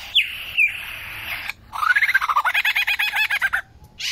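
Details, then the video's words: Superb lyrebird in Australia, 2019, showing its song repertoire: two sliding whistles, then a quick rising burst of about twenty rapid chopped notes, then a short rasp. "Amazing Lyrebird sing 2.0"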